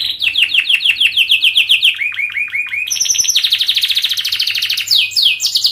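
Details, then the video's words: Canary singing a long, rapid training song meant to teach young birds to sing: repeated down-slurred notes, a few lower swooping notes, then a high, dense rattling trill with rising sweeps. "KENARI GACOR PANJANG speed Rapat"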